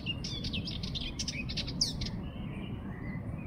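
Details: Sardinian warbler producing a brief, hurried chatter of grating high notes lasting about two seconds before stopping, set against a low, even background rumble.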